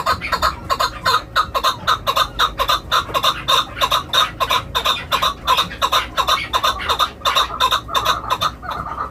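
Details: Chukar kept as a hunting bird gives a long, steady series of harsh clucking chuck notes, about three per second, over a constant background noise.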